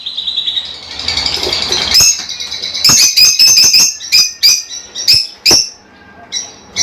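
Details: Lovebirds, small colorful parrots, giving sharp high chirps and squawks, a dense chattering buzz at first, then separate piercing calls repeated irregularly about three times a second, with faint wing flutter.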